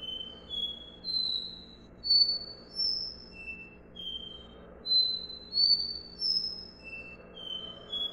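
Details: Copper seedeater (Sporophila bouvreuil) gives its "do-re-mi" song: clear, pure whistled notes climbing step by step like a scale, phrase after phrase, over a faint low hum.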